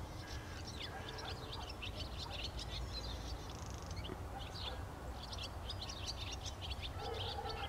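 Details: Barn swallows twittering steadily in rapid bursts of sharp, high chirps, with a brief pause near the middle, over continuous low-pitched background noise.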